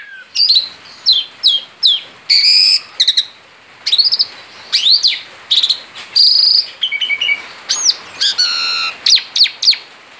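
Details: Male Asian pied starling outside its cage, singing in continuous ngerol style: a run of clear whistled upslurs and arched notes with scratchy chatter between, bursts roughly every half second, some low buzzy bands near the end.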